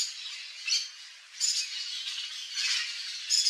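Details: Rough, scratchy squawks of a wild Yellow-faced Parrot at a Brazilian backyard in the Cerrado, in four short separate bursts spaced about a second apart over a steady hiss.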